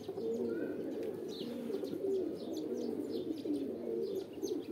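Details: Pigeon mating calls: overlapping deep coos with a few clearer drawn-out notes standing out, plus quick high chirps of other birds in the background.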